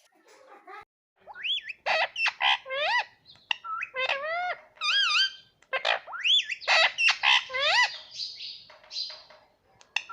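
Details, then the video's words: Pet green ring-necked parrot at home, said to say mitthu and mummy; dense stream of harmonic, swooping talking syllables and chirps, some sliding upward, with brief squawk-like noisy bursts. "मिट्ठू मिट्ठू बोलेगा तोता _ मम्मी बोलने वाला तोता मैना _ parrot sound"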